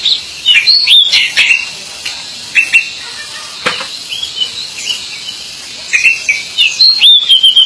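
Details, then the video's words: Pied bushchat singing in short bursts: quick clusters of high, slurred whistles and chips separated by brief pauses, the phrases returning with a burst of varied notes toward the end. "Burung Decu Gacor"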